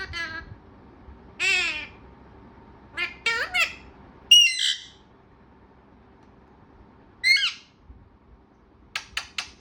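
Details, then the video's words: Talkative parrot: loud harmonic squawks and voice-like phrases separated by a long quiet stretch, finishing with four crisp, evenly spaced clicks. "बातुनी तोता"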